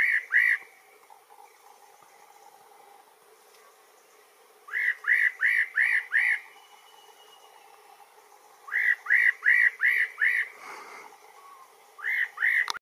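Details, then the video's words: A spot-breasted parrotbill repeats rapid bursts of four to six mellow, arched whistles, the bursts separated by pauses of several seconds, in quiet surroundings. "El picoloro pechipinto"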